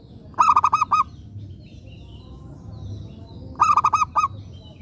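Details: Lure-bird zebra dove, a local bird prized for prompting others to respond, gives two phrases of five soft coos, each closing with a slightly separated final note, about three seconds apart over faint hum.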